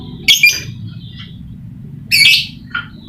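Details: Harsh, high squawking chirps from a lovebird played as a lure for lovebirds reluctant to sing: a doubled burst, a pause of nearly two seconds, then a longer rasping note and a short trailing chirp.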